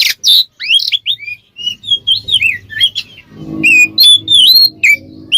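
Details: Ngeplong-style Oriental magpie-robin song used to stir other birds to respond: a fast, varied run of clear rising and falling whistles and chirps with a few harsh notes, a low rumbling background in the second half.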